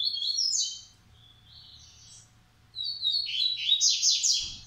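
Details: Coleiro song from a breeder's aviary in Maranhão, Massai and baiano song styles: high chirped phrases of quick notes, a pause, then a louder burst of buzzy descending trills near the end.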